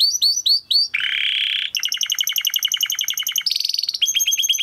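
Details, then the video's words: Timbrado canary training song that changes tours: looping falling chirps, a low, rattling buzz, a fast, metallic trill, a high, smooth roll, then quick repeated notes. "Υour canary will sing UNSTOPPABLY"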